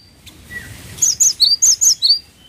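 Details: Energetic cinereous tit phrase: six clear, high, slurred notes alternating between two pitches in a brisk, even tempo, after a brief faint lower chirp.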